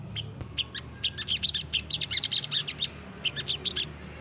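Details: Olive-backed sunbird (sogok ontong, sriganti) singing 'gacor nembak', recommended as a master recording for other birds: fast, high, sharp twittering notes in bursts, with a brief pause before a final run of chirps.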